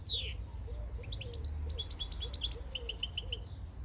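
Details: European goldfinch of the field-caught (campero) type, recorded in 2022, giving a quick burst of bright, high-pitched twittering and tinkling notes in short clustered runs over a steady low rumble.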